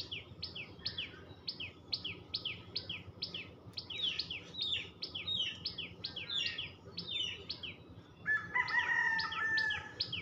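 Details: Tailorbird chattering: a long run of rapid, high, falling chirps. Near the end a rooster crows over the chirps, with faint low background noise.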